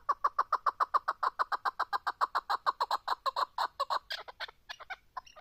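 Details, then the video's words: Chukar partridge in a rapid, evenly paced chuck-chuck series, close to four notes a second, breaking after about four seconds into scattered higher, rougher notes. "partridge keklik sesi"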